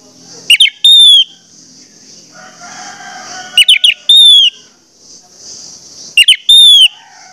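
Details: Used as a lure so other orange-headed thrushes sing, this thrush repeats a short phrase three times: quick chattering notes then a drawn-out falling whistle, spaced about three seconds apart over a steady high hiss.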